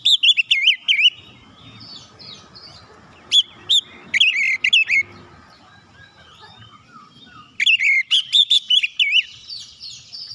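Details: Oriental magpie-robin singing to provoke other birds to sing; rapid loud wavering whistles, a stretch of softer chatter, then sharp notes and another fast run of bright whistled warbling.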